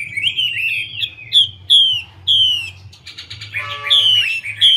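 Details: Chinese hwamei, the female dancing with spread wings to fire up the male: clear, downslurred whistles repeated about once a second, then a burst of harsher chattering notes, over a faint hum.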